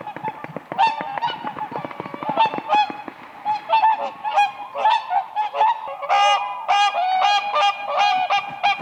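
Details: Whooper swans on a frozen lake in spring, dancing on the ice, give loud bugling honks in a rapid overlapping chorus, several birds calling together and rising toward the end.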